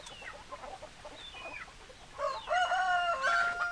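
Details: Rooster crowing among clucking hens: soft scattered clucks, then a loud drawn-out crow with steady held tones and a final upward step, over low background noise.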